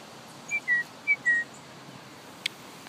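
A finch gives two quick paired whistles, each a short bright note followed by a slightly longer, lower slurred one, over a soft outdoor hiss.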